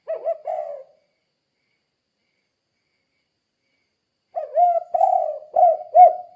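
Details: Spotted dove lure call, "kuk 2" style, to make other doves respond. A phrase ends at the start, then after a long gap a four-note series of soft coos follows.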